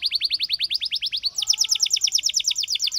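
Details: A canary's song in two quick tours: about a dozen evenly repeated chirping notes, then a higher, brighter series of rapid repeated notes.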